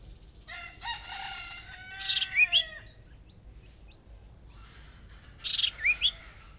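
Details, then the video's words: Hwamei decoy bird in a singing contest, first small practice bout: a long rich warbled phrase rising to harsh notes and quick whistled slurs, repeated about three seconds later over a background of faint chirps. "Chim Huýt Cô Mồi Mới Lên Lần Đầu Dợt Lụp Nhỏ Đấu Căng Lửa Thật"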